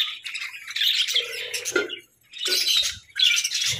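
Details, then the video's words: Pet parakeets chirp and squawk in loud bursts of high scratchy warbling, separated by short silences. "Parakeets' Daily Routines"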